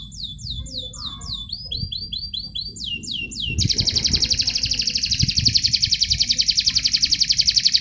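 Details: Canary song used as training material for singing contests: a run of rapid descending whistled slurs, then a series of short notes, then a long fast buzzy trill repeated about four times a second, with faint low background rumble.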